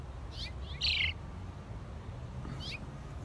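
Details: House sparrows chirping: a few short, bright chirps, one louder and harsher near the start and another after a pause, over a low steady background rumble.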